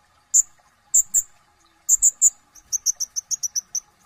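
Sunbird singing sharp, very high, thin chips, a few scattered notes, then a quick run of about ten evenly spaced notes at the end.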